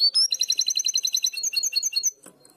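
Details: Goldfinch hybrid delivering a primaveras (herrerillo) style phrase as sung in Barcelona, a steady run of about twenty fast, evenly spaced double notes, high and tinkling, then quiet.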